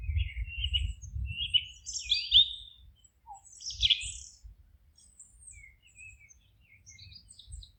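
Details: Wild songbirds singing in a forest at GPS 48.772993, 19.157495: scattered high chirps and short whistled phrases with a few brief trills, several notes overlapping, over low rumbling background noise.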